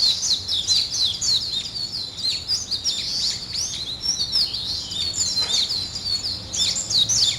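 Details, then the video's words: Morning birdsong: dense overlapping high chirps and quick twittering phrases from several birds, nearly continuous, with faint background hiss. "아침을 깨우는 새소리 2 ,Birds wake up in the morning 2"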